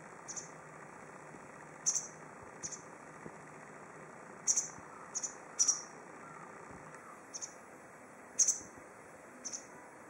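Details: Motacilla alba lugens, a white wagtail, calling from a tree at Goryokaku Park. Sharp, high, twittering chips, sometimes doubled, come at uneven gaps of one to two seconds, with a constant faint hiss behind.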